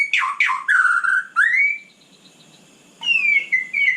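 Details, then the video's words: White-rumped shama at night giving a few downslurred and rising whistles, then a pause, then more clear whistled notes. "Kicau malam murai batu super GACOR"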